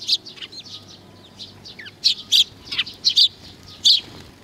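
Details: A group of sparrows gathering to be fed, May 15 2019, trading quick, bright chirps in bursts, with a few loud doubled notes near the end and faint murmuring between.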